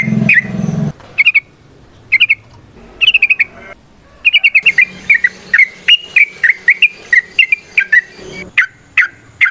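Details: Trucukan, the yellow-vented bulbul, singing energetically in varied ropel, nrotok and ngecuplik styles: short bursts of liquid chirping notes separated by pauses, then a long uneven series of bright, slurred whistles, with a low hum early on.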